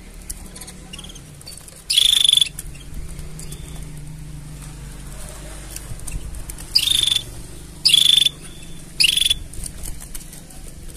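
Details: Canary mating sounds: one harsh, bright burst with a steady whistled tone, then a pause, then three similar bursts about a second apart, with a low, steady hum beneath.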